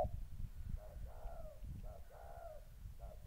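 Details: Spotted dove in Gia Lai, Vietnam, 14 August 2020, molting decoy facing an aggressive wild dove: soft, fairly distant coos, short note followed by a slightly falling longer one, repeated twice, over heavy low-pitched background rumble.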